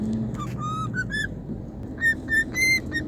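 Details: A pet cockatiel riding in a vehicle on an outing whistles a tune in clear, pure notes, some level and some rising, with short gaps. The tune is said to be the national anthem, and the bird is described as happy; a low steady vehicle rumble runs beneath.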